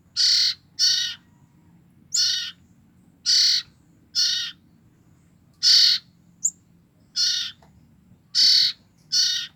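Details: Common iora young, two weeks old and siblings, kept to attract the parent birds, repeat about ten harsh scratchy bursts in steady succession, with one brief high chirp in between.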